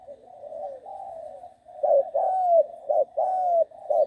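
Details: A six-month-old trained young spotted dove gives soft low cooing notes: a blurred series, then short sharp coos alternating with longer drawn-out coos that slide gently downward.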